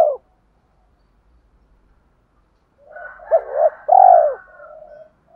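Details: Spotted dove cooing to stir newly caught doves toward fighting: a clipped coo at the start, a long silence, then a soft murmur rising into two short coos and a loud rolling coo with a faint higher voice overlapping.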